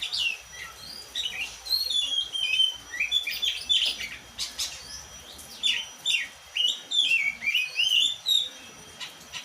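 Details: Oriental magpie-robin, black-and-white kept songbird, in a rich varied song of sweet whistled slurs, upward and downward sweeps and short chirps, delivered in quick bursts around one second apart, with a quiet background.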